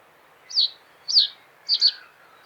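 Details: Common reed bunting song: three short, sharp, high notes about half a second apart, the last one doubled, over a soft, steady background hiss.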